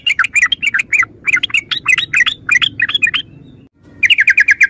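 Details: Yellow-vented bulbul, called trucukan in Java, gives a continuous bubbling chatter of short slurred notes. After a brief pause it ends with a quick descending run of about seven notes.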